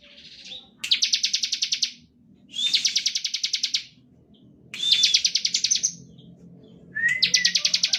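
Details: Bar-winged prinia, active singer, in standard 'ngebren' song meant as a lure for other prinias. Four evenly spaced trills of rapid buzzy pulses, some opening with a brief whistle, over a faint low hum.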